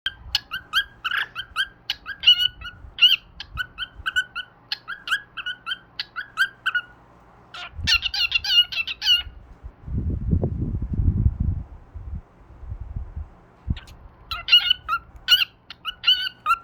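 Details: A pet bird hanging upside down mimics its favourite cockatiels' calls in bursts of chirpy, squeaky whistles.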